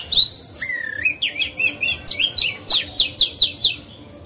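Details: Oriental magpie-robin used as a lure bird to trigger song in other birds: a long rising whistle opens, followed by a rapid series of bright, evenly spaced chirping notes repeated about five times a second.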